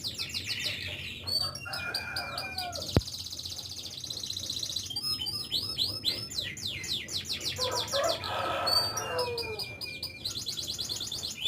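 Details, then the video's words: Canary singing a long, unbroken song of fast rolling trills and rattling repeated syllables, high and bright, shifting between buzzy runs and sweeping chirps, with lower warbled phrases mixed in and a single sharp click early on. "canary bird"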